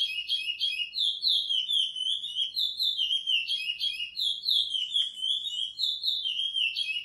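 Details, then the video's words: Curió, the chestnut-bellied seed finch, in a praia-style training song: rapid, liquid whistles chained into sweeping up-and-down phrases, delivered steadily and without breaks against a quiet background. "Curió Pardo Edição para encarte praia"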